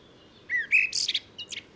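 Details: Common blackbird giving a short burst of song: a brief whistled note followed by high squeaky twittering fragments, lasting about one second.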